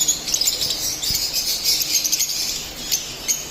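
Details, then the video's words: Brief stretch of split albino lovebirds chirping: rapid, piercing high chirps and squeaky twitters in quick irregular bursts. "Split Albino Love Birds Singing and Chirping sounds"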